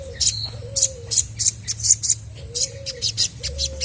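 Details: Chestnut-backed scimitar babbler singing vigorously to prompt other birds to answer: four low, smooth whistled hoots lasting about half a second each, accompanied throughout by rapid, loud high chirping from other birds.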